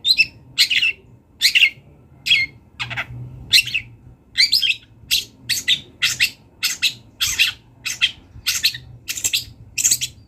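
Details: A wild long-tailed shrike delivers active song with borrowed fill-in phrases: evenly spaced harsh chirps and rasps, about two per second, some sliding downward, over a low hum.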